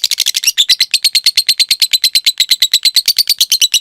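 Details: Cage lovebird, recorded as a model for training other birds to sing a long trill: a few rough chirps, then a fast, steady chattering trill of evenly repeated high notes.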